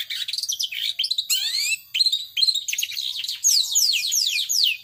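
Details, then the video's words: Long-tailed shrike in power sobek style, pouring out a dense, varied medley of scratchy chatter and rising whistles, ending in a run of repeated falling slurred notes. "Burung Cendet Power Sobek"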